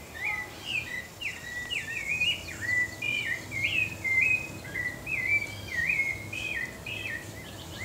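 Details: Pale-breasted thrush (Turdus leucomelas), a Brazilian species, singing a continuous run of clear whistled phrases, short slurred notes rising and falling in quick succession, with faint background hiss.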